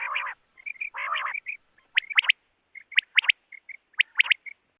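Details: Night-time quail call used to draw quail for hunting: two harsh rasping bursts, then repeated triplets of sharp whistled notes with soft short notes between them.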